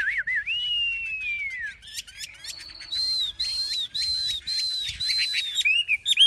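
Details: Chinese hwamei, a large, tame caged bird with a fully fanned tail, singing loud, clear whistles: a long slurred note, then bright rising phrases repeated about twice a second, with sharp chips between.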